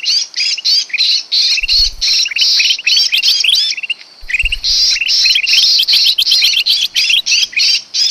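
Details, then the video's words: Sooty-headed bulbul lure call for attracting birds to traps. Dense, uneven chatter of buzzy squawks and rising chirps, roughly two and a half per second, with two low thumps. "suara pikat burung kutilang emas paling ampuh"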